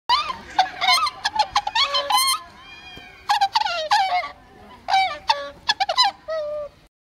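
Whooper swans giving loud, bugling, trumpet-like honks in irregular bursts, several birds overlapping, with brief pauses between the groups of calls.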